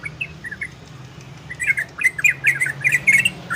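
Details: Orange-spotted bulbul song in ropel and garudo style, meant to stir breeding condition in listeners: a few soft slurred notes, a short lull, then a fast burst of chattering warbled phrases with crisp high ticks, over low background hum.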